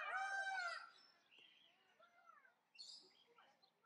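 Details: Male black-casqued hornbill giving one loud, rich, braying call that fades away, followed by softer, lower sounds and a brief harsh note.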